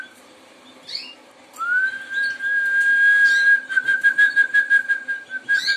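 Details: A Harz Roller canary sings a long, steady, mellow whistled note, then breaks into a soft rolling trill of quick pulses about five per second, with brief higher chirps around it.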